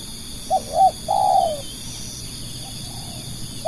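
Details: Spotted dove used as a lure for other doves, delivering one phrase of two brief hooked notes and a longer burry coo, then quiet faint coos and the start of another note, against a continuous high hum.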